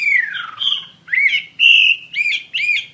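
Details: Chinese hwamei song: a long descending whistled slur, then a series of loud, varied, bright whistled phrases with looping, rich notes, clean and uninterrupted, with no other sounds.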